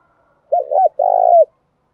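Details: Female spotted dove used as a decoy, giving the one-ending ('1 hậu') call to provoke wild males: two short rounded low coos, then one long purring, vibrating note that ends with a brief downward slur, in silence.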